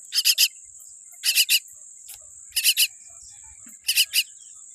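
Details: Small baby common myna with a weak beak gives loud, grating triple rasps repeated roughly every second and a half over a persistent high whine.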